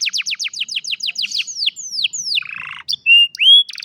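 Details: An old canary sings in the afternoon, opening with about a dozen quick descending chirps that slow into longer falling notes, then a buzzy rattle and clear sustained whistles.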